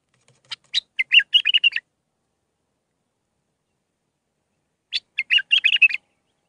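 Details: Song of a bulbul in the Mandali style of six phrases, meant for teaching young birds: two rapid bursts of clicks and gurgling whistles, about four seconds apart, in a silent background.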